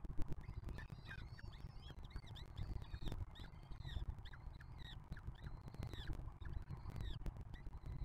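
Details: Nest-box peregrine falcons on the Museo de América in breeding season as a 2023 juvenile feeds its 2024 siblings; rapid series of short arched, slightly hoarse calls, clustered in bursts, with steady low rumbling noise beneath.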